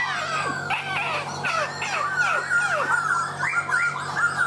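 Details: A laughingthrush pours out loud, fluid whistled song, a string of varied slurred notes rising and falling in quick succession, with a constant low electrical hum beneath.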